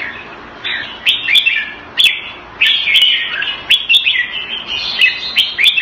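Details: Caged red-whiskered bulbul kept Thai style in Singapore, February 2018, singing short bright warbled phrases in bursts about every second, with sharp clicks between them.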